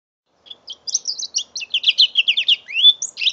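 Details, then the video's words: Five-month-old mule canary, recorded on an Android phone, singing a fast run of bright twittering notes that mix short chirps, trills and a rising whistled slur, with brief gaps between phrases. "My 5 months old mule canary"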